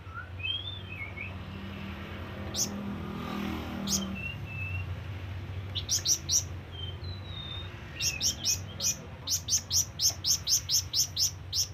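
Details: ['Flamboyan bird calling to companions and rivals: scattered sharp high chirps early, then a fast run of short, piercing ticks repeated about twice a second near the end, with a few thin slurred whistles between.']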